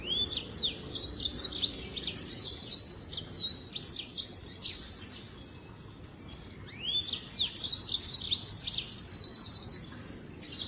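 A lemon-breasted canary sings two bright, high phrases, each about four seconds long, of quick rising slurs running into fast buzzy trills. A low background hum runs underneath.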